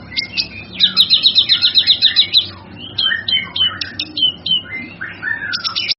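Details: Male kinoy master song for other birds to learn: a long fast trill of high repeated notes, followed by clipped chirps and several downward-swooping mid-pitched whistles, over a constant low hum.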